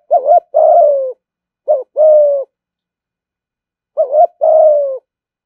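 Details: Spotted dove, a fine-voiced "thúc gù" caller said to lure rivals quickly to fight, giving three clean phrases. Each is a brief warbled note followed by a longer, even, slightly falling coo, in silence.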